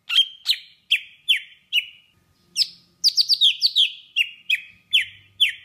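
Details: Song of a golden-fronted leafbird in Vietnam, used to lure birds to traps: crisp descending notes repeated roughly twice a second, then a quicker rattling string of downward slurs.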